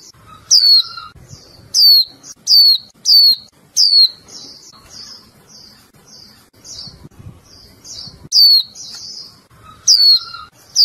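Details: Warbling white-eye (Zosterops japonicus), contact call: female calling to stir the male into song.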